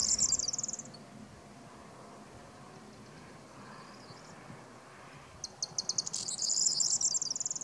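A corn bunting sings its high, jangling song twice: a string of quickening dry ticks running into a shimmering, glassy trill, like jingled keys, over soft background hiss.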